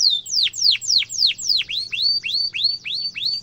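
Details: Tutor song of a canary for young birds to imitate, sharp rolling style: about four falling sweeps per second, then a run of clear upswept whistled notes at an even pace.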